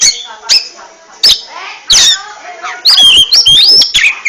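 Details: Oriental magpie-robin (kacer) ngentrok song: isolated loud clicks with softer falling notes between, then a lively run of high, looping whistled phrases at the end.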